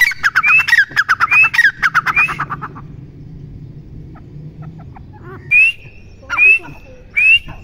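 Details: A captive partridge (teetar) gives loud, harsh rhythmic phrases of clipped notes with a rising whistled note, three phrases in quick succession, then three separate squawky calls.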